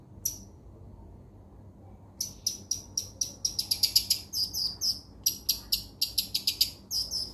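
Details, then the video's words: After a lone high note and two seconds of quiet, a long-tailed shrike (cendet) launches into rapid high chips and buzzy, warbled notes in bursts. Played as training song to restart a bird that stopped singing. "mastran burung cendet yang mandek di jamin bunyi lagih"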